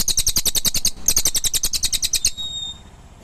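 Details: A rapid series of high, clipped chirps from a cililin, delivered in two bursts separated by a short break, then fading into quiet with a faint thin whistle.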